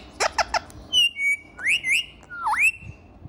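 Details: Pet ringneck parrot, kept indoors, said to talk and dance: three quick harsh squawks, then a long flat whistle and two rising, swooping whistled notes over a quiet room.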